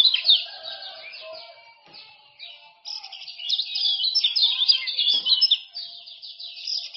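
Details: Lure and tutor recording of a male common iora from Lombok: quick, scratchy twittering phrases repeated in dense runs, quieter start, then a sustained loud chattering stretch over a faint low tone.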